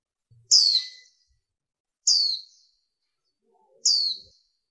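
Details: Female warbling white-eye, recorded to stir up males: three very high, thin notes, each sliding quickly downward, spaced about one and a half seconds apart in otherwise quiet surroundings.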